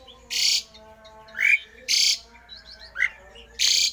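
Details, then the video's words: Rare, strange song of a Javan pied starling, used to provoke rival starlings to sing: harsh rasping bursts repeated roughly every second, mixed with brief upslurred whistles and a softer twittering background. "jalak uren suara aneh langka di jamin Jalak uren lain panas ikut gacor!!!!"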